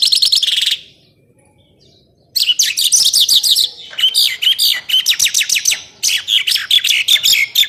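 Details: Songbird used as master material for contest birds; a burst of high chatter, over a second of silence, then varied sharp chirps and twittering phrases.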